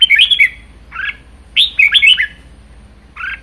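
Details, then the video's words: A kept Red-whiskered bulbul sings short, bright phrases of liquid, slurred whistles, each under a second with brief pauses, over a faint low hum. "Chào mào hót hay | chào mào ché hay | chào mào siêu ché"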